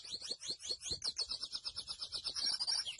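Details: Rapid, high twittering song of the grey seedeater, known as mochuelo, with slurred chirps tumbling into an evenly pulsed, chattering series.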